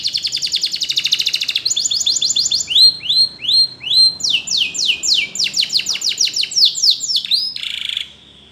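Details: Canary singing a training song: a rapid buzzy trill opens, followed by repeated upward-swooping whistles, then a fast run of downward-slurred notes, ending on a steady held tone.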